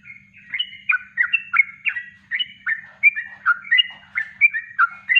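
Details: Yellow-vented bulbul singing naturally in kongslet style, a master recording for training; bright, bubbly whistled notes in quick succession, each with a rising then falling slur, evenly loud.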